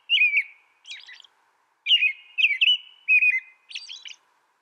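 An American robin sings clear, caroling whistled phrases that rise and fall, broken by thin, high squeaky notes, against a quiet background.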